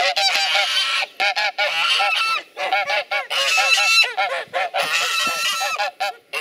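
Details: Geese acting as watchful guards, raising loud aggressive chatter to drive off potential enemies: dense, overlapping nasal honks in rapid bursts, several birds calling at once with brief gaps between volleys.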